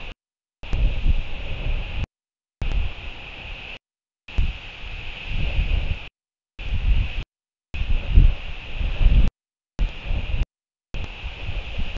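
Heavy wind rumbling across the microphone, with a steady high hiss and repeated brief cutouts to silence; no animal voice is heard.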